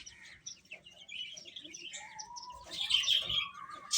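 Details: Chicks feeding and chirping. Thin whistled peeps and a few drawn-out tonal notes come first, then a louder cluster of overlapping high chirps in the second half.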